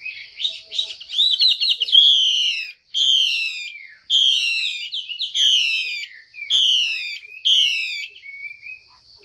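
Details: Female Chinese hwamei calling so that males sing more: a fast twittering opening, then six loud harsh buzzy notes with descending tails, repeated roughly every second and a half.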